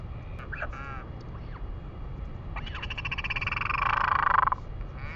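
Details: Northern royal albatross in New Zealand on 3 May 2020 giving a few short nasal notes, then a long, pulsed, braying call that swells in loudness for about two seconds, over steady wind rumble.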